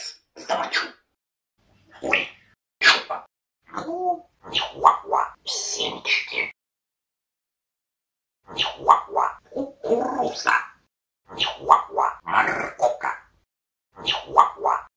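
A parrot talks in Russian, with raspy, clipped phrases in quick bursts and short pauses between.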